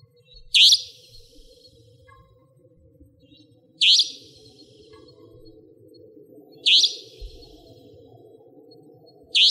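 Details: Savanna nightjar (Caprimulgus affinis), a nocturnal, territorial bird, beside a house in Pingtung County, Taiwan, giving four sharp, high, explosive 'tchweep' notes about every three seconds over a low steady hum.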